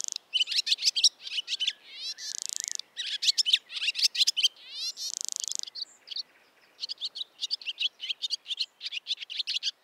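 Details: Barn swallow singing: fast twittering chatter of sharp chirps with buzzy rattling trills woven in, bursts separated by brief pauses, then a run of quick repeated twitters.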